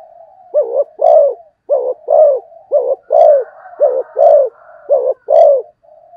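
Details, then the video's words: Spotted dove in quick cooing: five brisk pairs of mellow coos in about six seconds. Each pair is a clipped note followed by a fuller, longer one, over a faint continuous background hum. "cu gáy thúc gù tốc độ"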